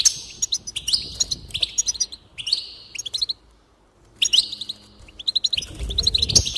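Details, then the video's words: High, chattering goldfinch song for encouragement of singing, with buzzy slurs and rapid chirp runs, a full second of silence in the middle, then renewed twittering and a soft low rumble at the close. "increase the enthusiasm of the goldfinch and encourage it to song"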